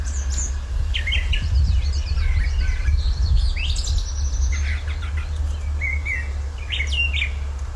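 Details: A distant Brown Thrasher sings a loud, complex song from a treetop on May 17 at the Lindsey-Parsons Biodiversity Preserve in the Finger Lakes: varied, sharp, chirpy phrases, often doubled, over a low rumble of wind or traffic.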